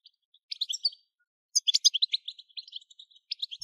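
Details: Goldfinch 'batbata' song meant to stimulate other goldfinches to sing; a short twittered phrase, a pause, then a fast run of sharp chattering notes ending in scattered chips.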